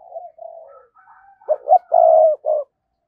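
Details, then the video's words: Captive decoy spotted dove, 2022, giving the thúc and gáy calls used to lure wild doves. Soft, wavering preliminary coos build into one emphatic husky phrase: two quick notes, a long low coo and a short closing note. "tiếng cu gáy - Chim Cu Mồi Thúc Và Gáy Gọi"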